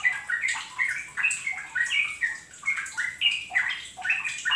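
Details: Lure recording of a yellow-vented bulbul meant to prompt other birds into full rapid 'ropel' singing: cheerful, bubbly chatter of quick up-and-down liquid notes, delivered in brisk repeated phrases without pause.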